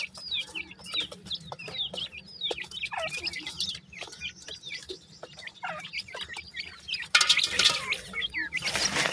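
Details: Grey francolin chicks peep repeatedly, with short downslurred high notes about three per second in an irregular chorus. A loud rushing noise takes over in the last two seconds.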